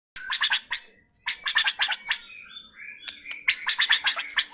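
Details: White-rumped shama (F3) delivering rough 'materi kasar' song material: bursts of harsh, scratchy, broadband notes in fast clusters, a pause near one second, then dense chattering phrases with a few sliding whistles.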